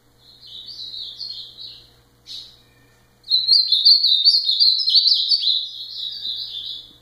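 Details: High-pitched ultramarine grosbeak song: a brief warbled phrase, one sharp isolated note, then a long rich run of quick up-and-down slurred notes lasting almost four seconds.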